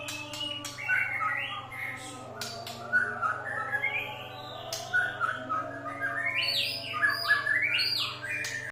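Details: White-rumped shama singing as a provocation to other birds; rich fluty whistles rising and falling, interspersed with sharp clicks and chatter, continuous and varied over a low steady hum.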